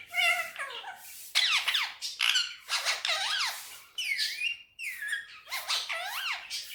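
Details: Pet Indian ringneck parrot talking indoors on a table, with Urdu/Hindi mimicry: loud, raspy, speech-like syllables in quick bursts, some sweeping up and down in pitch, separated by brief gaps.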